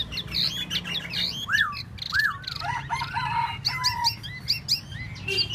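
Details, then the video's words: Tieu mi bird singing a varied, busy song of short chirps and high twittering notes, then slurred whistles rising and falling, some notes drawn into longer level whistles, over a steady low hum. "Tieu mi de ban choi solo"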